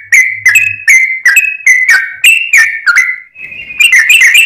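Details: Lure song of a sooty-headed bulbul: whistled, slurred notes repeated roughly every third of a second, ending in a short bubbly chatter.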